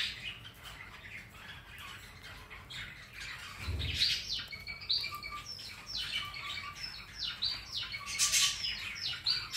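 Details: Pet rainbow lorikeet on a Sunday afternoon, busy with play; rapid chattering of short descending whistles and scratchy notes, about one a second, with a brief low thump midway and a loud shriek near the end.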